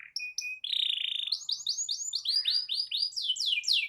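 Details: Canary song meant to provoke other canaries into singing: a steady whistled note, then a broad buzzy roll, then a run of rapid swooping, descending chirps in a long rolling phrase.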